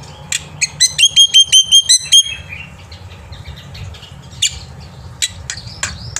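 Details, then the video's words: Morning song of a black-winged myna used to tutor young birds, a crisp series of about ten evenly repeated whistled chips, then sparse sharp squeaks and short notes, with a quiet low hum. "jalak putih gacor pagi hari untuk masteran burung jalak muda"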